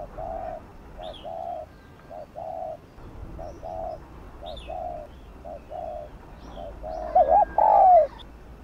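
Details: Spotted dove giving 'gù' (bo) style cooing, used to rouse captive decoy birds to coo: softer paired low coos, a short note then a longer falling one, growing louder at the end, with faint high chirps from other birds.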